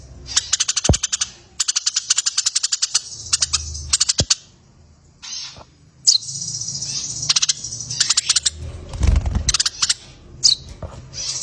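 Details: Eurasian tree sparrow, 'gereja tarung' fighting style, recorded as a tutor for competition birds: scattered bursts of rapid, shrill chirping separated by short silences, with a few sharp clicks and low rumble between.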